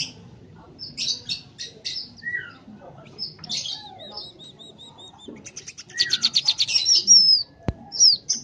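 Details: Tame scaly-breasted munia in full voice: scattered high chips and thin whistles build into a fast stuttering series of bright notes, ending in a squeaky slurred whistle; a sharp click sounds near the end.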